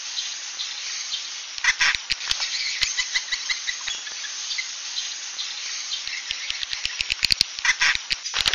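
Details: Swiftlet 'suara inap' sound, a quiet, high, continuous twittering chatter punctuated by sharp clicks and brief louder bursts.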